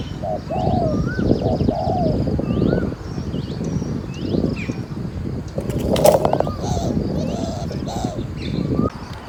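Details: Spotted doves at a decoy-trapping session in Ayutthaya, Thailand, coo in soft, low, rolling phrases that overlap throughout; thin whistled notes from other birds and a brief burst of noise are also heard.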